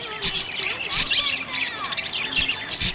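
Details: Happy budgie giving quick squawky chirps and scratchy twitters, with short upward and downward whistled slides packed closely together.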